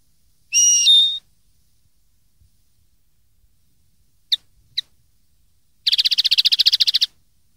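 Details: Common linnet singing on a 2013 training recording for juvenile linnets: a steady whistled tone stepping down in pitch, two isolated ticks, then a dense buzzy trill of about fifteen pulses.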